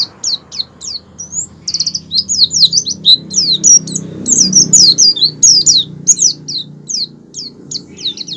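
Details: Oriental white-eye singing a continuous rolling 'ngerol' song linked to wild-style 'ngalas' phrases, used as a lure to make white-eyes open their beaks and sing. A dense, rapid stream of very high, thin, twisting chirps and slurred notes.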